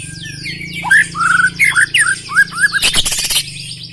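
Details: White-rumped shama of the black-legged type giving a fast series of rich, looping whistled notes, followed by a short harsh rasping burst and trailing high trills.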